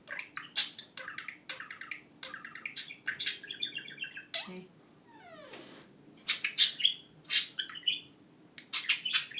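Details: Pet budgerigar (parakeet) imitating a phone ring among its chatter: bursts of scratchy, buzzy chirps, a pulsed trilled run, a quick falling sweep, then sharp, bright chip notes, all in a quiet room.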